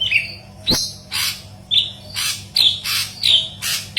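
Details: Yellow-headed leafbird singing gacor for a green leafbird training track: short whistled notes alternating with broad harsh rasping bursts, roughly two per second, over a faint hum.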